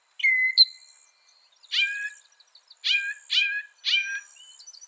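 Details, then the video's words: Northern mockingbird, said to copy some 200 sounds, gives a level whistle with a sharp upslurred note, then four harsh, scratchy downswept calls in close succession; a soft high hiss continues underneath. "Masteran suara burung NORTHERN MOCKINGBIRE bisa merekam 200 suara"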